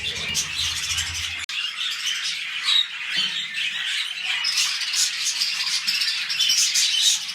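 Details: Captive budgerigars mating as they begin a new breeding clutch: continuous rasping chatter mixed with high clicks and short whistled squeaks, a low hum fading out early.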